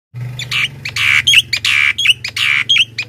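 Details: A Javan myna in the morning gives harsh, rasping chatters alternating with short sharp whistles, about one burst each second, over a steady low electrical hum.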